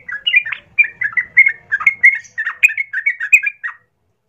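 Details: Bold sooty-headed bulbul in full song, a lure meant to draw rivals into fighting: a steady chain of about fifteen quick, liquid two-part warbles, evenly spaced and bright, ending abruptly before a brief silence.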